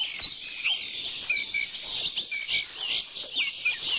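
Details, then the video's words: A short burst of bird song: high chirps and thin whistled notes over a steady background hiss, several brief tweets repeating close together. "bird song"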